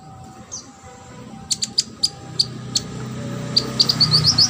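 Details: Brown-throated sunbird (konin), a singing training recording meant to teach competition birds. After a quiet start comes a series of sharp, high chirps that grows into quick rising notes near the end, over a faint background hum.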